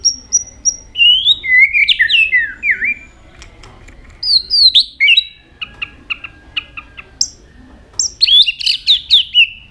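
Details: White-rumped shama singing many varied notes and switching voices while repeatedly flicking its tail: high clear whistles, swooping slurred phrases and quick clicking trills in bursts separated by short pauses.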